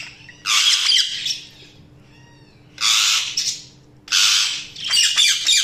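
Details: Budgerigar chirping: a run of loud, harsh squawking bursts about a second long, separated by short gaps, with faint whistled notes in between and busy chattering at the end; a steady low hum runs underneath.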